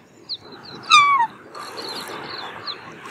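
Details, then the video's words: Black swan giving one clear, high, descending bugle note amid a rushing background noise, with thin high chirps from other birds. "Black Swan Bird Call/Song"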